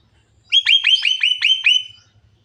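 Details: Javan myna described as talking until it coughs; six harsh, scratchy notes, each sliding sharply downward, given in quick even succession over about a second and a half, with a quiet background.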